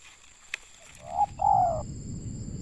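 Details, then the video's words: Local Indonesian spotted dove, or tekukur, recorded during bird trapping. A single low, hollow two-part coo ends in a longer note after a faint click, over a soft rumbling background and a steady high electrical hum. "Mikat burung tekukur suara boleh lah"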